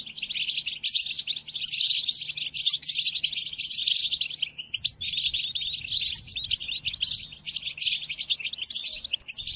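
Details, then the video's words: European goldfinch singing a tutoring song for caged goldfinches: a long, unbroken run of bright, tinkling twitters, briefly broken just before the halfway point, then continuing just as fast. "قدم هذه الآصوات لطائرك الحسون وشاهد ماذا يفعل Chardonneret"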